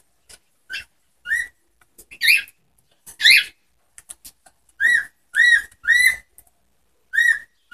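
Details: Whiteface cockatiels giving a string of piercing, arched whistled chirps with strong overtones, some harsher and noisier, spaced irregularly, with small clicking sounds between them.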